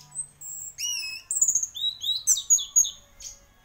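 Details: A singing champion orange-headed thrush gives sustained high whistles, then rapid falling and rising slurred notes, about four per second.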